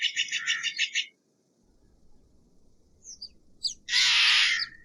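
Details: Steller's jay: a rapid series of about seven harsh pulsed notes, a pause with a couple of thin high squeaks, then a loud, broad, rasping screech lasting nearly a second, over low background noise.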